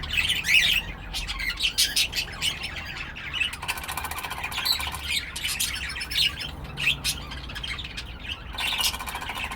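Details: Pet cockatiel squawking and chirping, sharp high notes mixed with drawn-out grating rasps that come in repeated bursts over a steady chatter.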